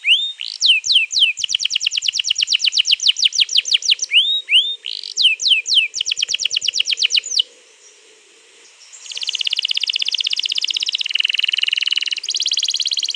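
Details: Canary song used to prompt another canary to sing, recorded 21 April 2022: rapid repeated falling notes broken by swooping whistles, a short quiet spell, then a long buzzy roll, with a faint low hum beneath.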